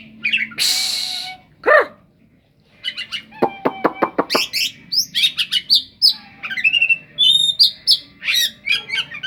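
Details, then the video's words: Mimicry-rich oriental magpie-robin song copying a cetdet bird. A harsh rasping burst opens it, then a rapid run of dry clicking ticks, followed by dense, varied high chirps and whistles. "kacer raja salam"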